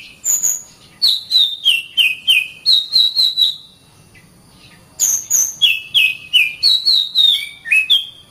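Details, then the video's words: Song of the Oriental magpie-robin for training caged birds: high whistles followed by steady series of short slurred notes, repeated about three per second, a pause, then a similar varied series. "SUARA BURUNG - Masteran Terbaik Kacer"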